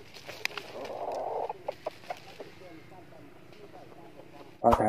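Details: Red junglefowl, a hen used as a decoy in a trap to lure wild males, giving low, rough clucking notes mixed with sharp clicks, before a sudden loud crackling burst cuts in at the end.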